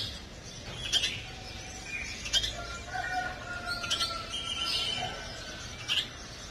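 A house sparrow chick gives sharp, high chirps at irregular intervals.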